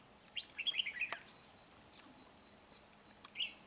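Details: Red-whiskered bulbul used as a decoy in fight-trapping, recorded 4 April 2021: a quick burst of bright, chirpy warbled notes near the start, then one short sweet phrase at the end, over a steady high insect buzz.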